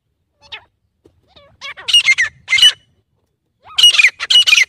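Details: Grey francolin (teetar) giving scattered soft introductory notes, then two bursts of loud, grating, high squawks in quick repeated phrases, separated by a short pause.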